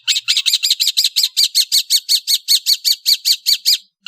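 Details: Long-tailed bird of Indonesia in the afternoon giving a loud, steady series of identical harsh chattering notes, about four per second, for nearly four seconds without a break.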